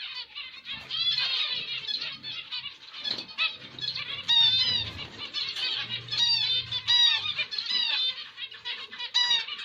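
Zebra finches chatter busily, with nasal, trumpet-like beeps and quick buzzy phrases overlapping from several birds, like a lively flock.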